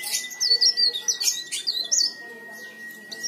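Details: Leaf warbler singing strongly for use as a lure to make other leaf warblers sing; very high, quick, squeaky twittering phrases over an unbroken flat whistle tone running throughout.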